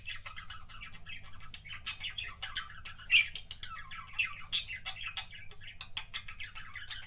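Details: Kissing sounds of a pet budgerigar: fast, busy chattering warble with bright, sharp squeaks standing out around three and four and a half seconds, low background hum.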